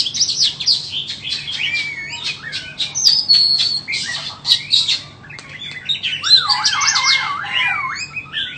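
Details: White-rumped shama, a bird offered for sale, pours out a rich song: sliding whistles, quick chips and buzzy bursts, ending in a loud zigzag whistle rising and falling several times, over a faint low hum.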